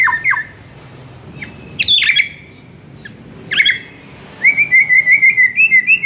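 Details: White-rumped shama master song for a silent bird: scattered sharp downslurred notes and harsh buzzy bursts separated by pauses, then a long rapidly pulsed warbling trill at the end.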